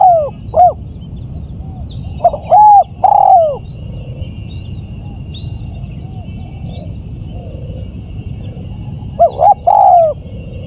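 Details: Spotted dove lure sound meant to draw in birds: two quick coos, then a phrase of short coos ending in a long arched coo, a long quiet gap, and the same phrase again near the end, with faint background hum.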